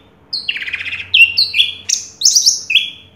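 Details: First-place orange-headed thrush from 2022 delivering a varied run of buzzy and whistled notes that step up and down in pitch, ending with a bright rising flourish.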